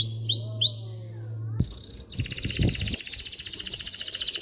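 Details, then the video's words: Canary song for training chicks to sing and bringing females into mating condition: three rising whistled slurs over a low hum, a short tone, then a long fast high trill. "تغريد طائر كناري خرافي لتعليم الفراخ على الغناء والاناث على التزاوج، Canary singing"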